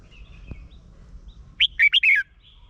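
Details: Red-whiskered bulbul recorded in Thailand, its song used to excite caged birds: a soft click and faint chirps, then a crisp phrase of four liquid whistles ending in a falling slur.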